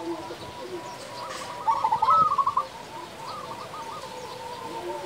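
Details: Local zebra dove singing: one short, loud phrase of quick bubbling coos with a sliding note, then quieter cooing from other doves.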